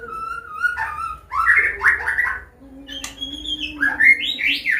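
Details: Medan-type white-rumped shama in clear 'ngeplong' combination song, meant as a lesson for young birds learning to sing: sweet level whistles flow into quick warbled notes and bright upslurred phrases, with a faint steady hum beneath.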